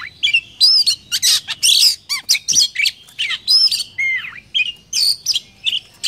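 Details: Oriental magpie-robin lure song from Vietnam, used to spur other magpie-robins to sing: a dense, loud run of mixed whistles, harsh squawky notes and slurred trills following each other almost without pause.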